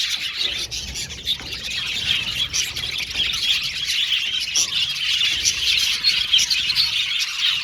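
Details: Flock of aviary budgerigars chirping and warbling, a constant high buzzy chatter with sharper squeals breaking through every second or so.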